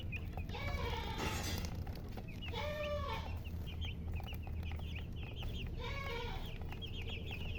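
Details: Coloured chickens with a hen (murgi): three arched, lower, harmonic calls spaced a few seconds apart stand out among scattered high, thin chirps, over a steady low rumbling noise.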